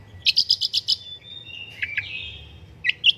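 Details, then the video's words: Long-tailed shrike song as a prompting master: a fast burst of six sharp chirps, a drawn-out whistled note with two slurred accents, then two squeaky chirps. "BURUNG PENTET GACOR - MASTERAN BURUNG CENDET - PANCINGAN SUARA PENTET"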